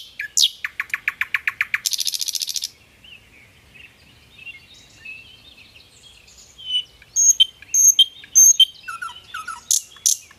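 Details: Hill blue flycatcher (Cyornis banyumas) singing in the wild gives a rapid run of a dozen high notes and a harsh buzzy burst, then, after a pause, sweet high whistled phrases.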